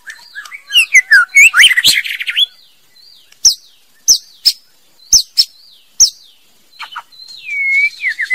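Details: A female white-rumped shama opens with a rapid tumbling burst of mixed notes, then gives spaced sharp high clicks, ending in smooth descending whistles.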